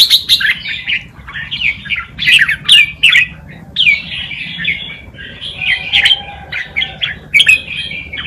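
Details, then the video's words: Red-whiskered bulbul performing the wild Malutin tutor song used to train young birds: cheerful slurred whistles and chirps in short, tightly packed phrases with small breaks. "นกกรงหัวจุก นกครูเพลงป่ามาลูติน เปิดสอนลูกนกก๊อฟติดง่าย"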